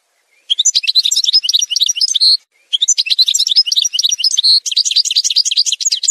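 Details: Algerian goldfinch song from a montage: two long rushing phrases of dense bright twitters, each closing on a sustained clear note, followed by a further fast twittering run.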